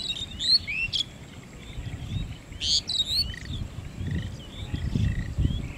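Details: In Manikganj, lesser whistling ducks give scattered high whistled notes, some sliding upward, in brief clustered bursts against low-pitched ambient noise.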